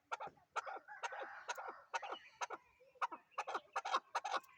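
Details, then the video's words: Chukar partridge calling with fast, raspy clucking notes in irregular bursts over a low background murmur. "chakor# ki# awaz"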